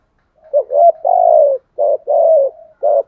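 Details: Decoy spotted dove giving the deep-voiced 'gù thúc' coo meant to lure wild doves: a short hooting note, then a long slightly falling coo, followed by two more clipped coos with soft humming between.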